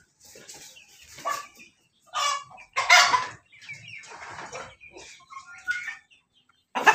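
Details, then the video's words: Ayam ketawa crowing loud and strong: several raspy, broad bursts in succession, the loudest about a third of the way in, separated by softer clucking and chirps from surrounding fowl. "ayam ketawa berkokok lantang"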